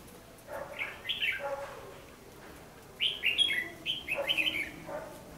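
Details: Red-whiskered bulbul in a trapping setup in Vietnam, singing a fighting song used as a lure: two bursts of quick, bright, slurred whistled phrases, the first near the start and the second after a pause, over faint background hiss.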